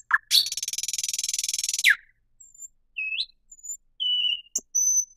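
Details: Song of a thrush nightingale beginning with a long, grating, fast rattle, followed by sparse pure whistles at varying pitches with short pauses between them.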